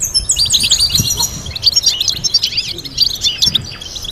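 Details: Goldfinch singing a complex tutor melody for young birds: a dense, fast tumble of tinkling chirps, buzzy trills and high twitters, continuous and lively.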